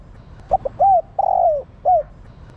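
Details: Female spotted dove calling to stimulate males: a quick clipped note, then an arched coo, a long drawn-out coo sliding downward, and a final short arched coo. The phrase is mellow and low, over faint background hiss.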